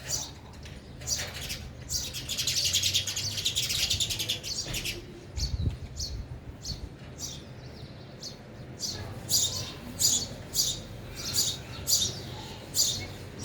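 Sparrows give a busy run of bright, high chirps, first tumbling together and then spaced about once a second, with one soft thump in between.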